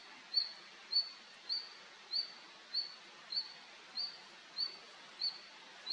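A male red-flanked bluetail repeats a thin, high, slightly rising whistled note, about every 0.6 seconds, against a soft steady hiss.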